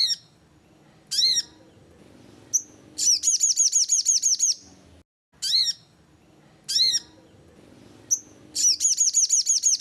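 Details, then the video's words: Repeating sogon lure call: piercing high chirps in pairs, a thin whistle, then a rapid even series of bright downslurred notes. The sequence is heard twice over a faint low hum. "suara sogon cocok buat pancinggan sogon"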